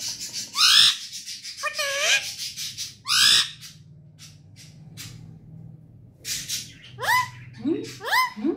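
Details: Pet parrot calling indoors: a run of harsh, harmonic squawks and short rising whistled notes, several loud bursts separated by quiet gaps, ending with quick upward-swept calls; faint steady hum underneath.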